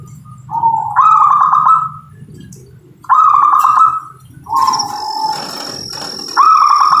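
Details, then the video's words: Local-type zebra dove singing: mid-pitched, rattling cooed trills about a second long, each rising slightly and repeated in three to four phrases, with a thin, steady high whistle from another source in the second half. "suara perkutut lokal"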